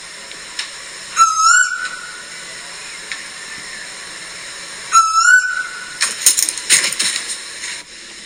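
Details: An Eastern (Pacific) Koel recorded in a home back garden in Australia's Southern Highlands, calling in October, gives two loud, rising whistled notes about four seconds apart, followed by rustling background noise.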